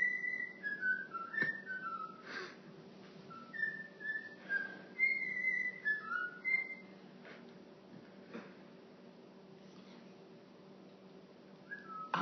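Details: Pet cockatiel indoors whistling La Marseillaise, recorded on a phone: a run of clear whistled notes stepping up and down in a melody, with short pauses between phrases and faint room hum behind.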